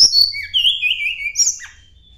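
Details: Sunda blue robin, a mountain bird singing as if seeking a rival: long high whistles sliding downward, a bright upper note near the end, then fading.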